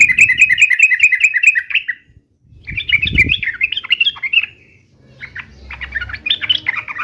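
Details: Three runs of chattering, bubbling yellow-vented bulbul notes, given as a fighting 'uplik uplik' song to provoke replies, with short gaps between runs and some low knocking sounds.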